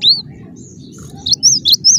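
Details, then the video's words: Cinereous tit giving a short burst of sharp, high, arched whistles: one note at the start, then a brief quick series near the end, with a low background rumble throughout. "Suara rapat +GACOR banget, gelatik batu gacor"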